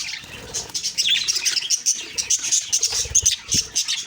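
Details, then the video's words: Lively budgerigar chatter on the morning of October 2, 2023, with pulsing bursts of shrill chirps and whistled squeaks coming in quick rhythmic waves. "Beautiful morning birds chirping sounds/Budgie sounds"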